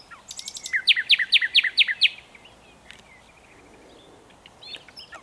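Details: Nightingale, Luscinia megarhynchos, delivering a run of six loud, evenly spaced sweeping notes, followed by quiet whistles and faint chirps from farther off.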